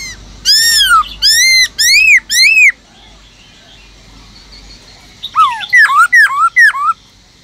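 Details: Caged black-throated laughingthrush singing wild-type song: loud clear whistled phrases, first a run of four arched, descending notes with rich overtones, a pause, then a second burst of five rising-and-falling whistles.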